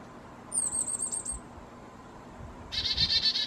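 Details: Black-capped chickadee, possibly a Carolina hybrid, at a feeder at 4000 feet in the Great Smoky Mountains in warm weather, fussing over seeds: a quick run of thin, very high chips, then harsh, buzzy repeated dee notes, about four a second.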